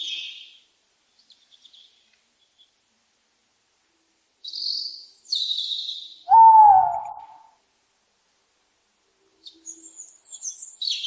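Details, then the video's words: A tawny owl gives one drawn-out, slightly wavering hooting note lasting about a second, with thin high chirps from small birds before and after. "Tawny Owl Call Sound"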